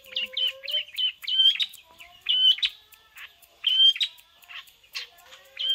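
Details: Long-tailed shrike in full song copying a prinia, delivering rapid bursts of high clipped chirps and short bent whistles in uneven groups, separated by short gaps; a faint lower whistle sounds in the background.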